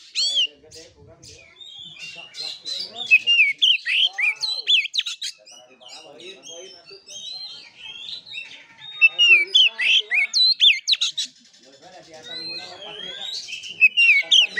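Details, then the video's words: Oriental magpie-robin in fighting-style song, a long, varied medley of sharp whistles, slurred upslurs and harsh chips, coming in loud bursts separated by quieter passages, with murmuring lower sounds underneath. "KACER NGEPLAY TARUNG|GAYA KURA KURA"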